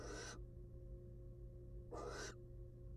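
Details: Wild female barn owl on her eggs in a nest box after a rat meal gives two brief, breathy, harsh hisses about one and a half seconds apart against a low hum.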